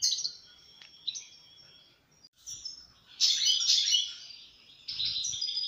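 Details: Goldfinch song made of quick tinkling twitters and liquid notes, with a loud buzzy-trilled phrase in the middle and another burst near the end.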